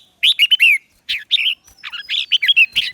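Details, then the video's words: Red-whiskered bulbul lure bird singing to call wild birds in for a singing contest: bursts of bright, warbled whistled notes rising and falling in quick phrases, with short pauses between groups. "CHÀO MÀO MỒI HÓT GỌI BỔI DỤ BỔI"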